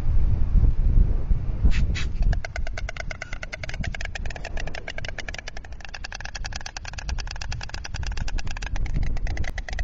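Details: White storks at a nest in Alcalá de Henares, 26 November 2016, 11:26, greeting as one flies out and returns: a long run of rapid, dry wooden bill-clattering clicks over a steady low rumble of wind or distant traffic.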